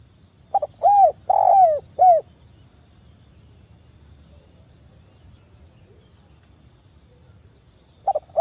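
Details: Spotted dove singing actively in the kuk 1 crystal-voice style, used as a lure for other birds: a burst of mellow, arched low coos early on, a long pause, then the phrase beginning again, over a steady high electronic whine.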